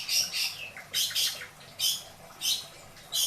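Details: Pet long-tailed shrike from Indramayu giving isian song: four loud harsh, rasping bursts in quick pairs and singles, with a faint downslurred note early on.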